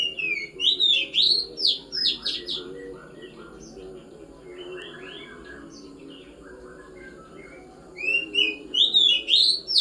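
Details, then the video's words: Kacer, an Oriental magpie-robin, after pengembunan (dew airing) delivers rapid bursts of bright, sweeping whistles and chattering notes for about three seconds, then quieter scratchy twittering, then another loud burst of whistled phrases near the end. "hasil dari proses pengembunan burung kacer"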